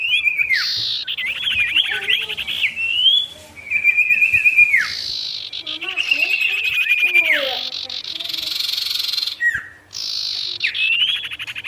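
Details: Long vigorous sirtu song aimed at provoking wild rivals: wavering whistles, a steady high trill, extended buzzy rasps and sharp downward-slurred notes.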